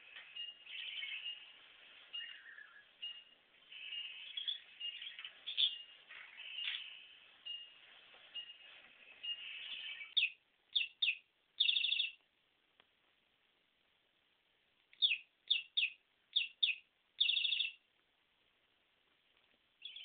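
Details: A pet budgerigar, meeting a fake parakeet for the first time one evening, chatters in a long, bubbling high warble, then gives short bursts of sharp, repeated chirps.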